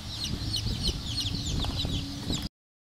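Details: Black Cochin bantam chicks, several peeping at once: quick, thin, high cheeps that overlap in a busy stream over a low rumbling background, cutting off abruptly after about two and a half seconds.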